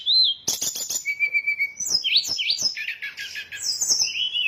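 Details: Sooty-headed bulbul lure sound used to draw birds in for trapping: a steady whistled note, then a dense run of sharp high chirps, rising slurred whistles and quick twittering phrases with no other background sound.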